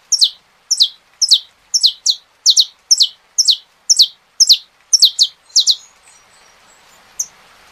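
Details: Saffron finch singing: a steady series of about a dozen sharp, high chirps, each sliding steeply downward, repeated roughly twice a second, then falling quiet with faint background hiss.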